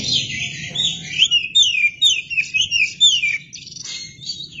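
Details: An Oriental magpie-robin sings energetically and fans its tail: fast varied whistled phrases, repeated rising and falling slurs, sweet notes at a steady pace, with quieter hesitant warbling at the close over a soft low hum.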